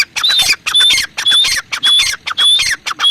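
A female grey francolin gives harsh, squawking notes with a shrill whistled edge, about six in three seconds in a quick, uneven series.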